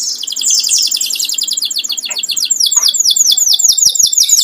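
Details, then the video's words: Home-kept pet canary singing loudly: long, very high rolling trills of rapid repeated notes, then a run of quick descending sweeping notes, with a few soft clicks behind. "burung kenari buat nemenin ngopi"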